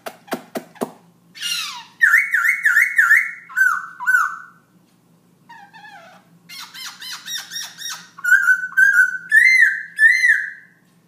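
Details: Night song of a black-throated laughingthrush at 11 pm, a nonstop singer: sharp clicks, then bursts of rapid wavering whistled phrases, a pause, and more looping warbled notes, about ninety-five per minute.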